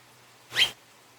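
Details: A single short, nasal, rising call from a double-barred (owl-faced) finch, over a faint low hum.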